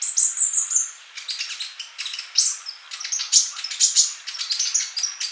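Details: A male sunbird sings vigorously as tutor material for mute young birds. It opens with a long high whistled note, then runs into dense, scratchy twittering and quick chip notes at a very high pitch.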